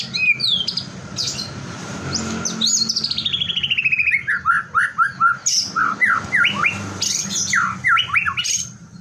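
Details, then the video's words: Provocation song of a white-rumped shama, meant to set other shamas singing: a long descending series of rapid whistled notes, then repeated sharp swooping whistles, with a steady low hum behind. "LANGSUNG TRPANCING GACOR, HITUNGAN DETIK MURAI LAIN AUTO IKUT BUNYI"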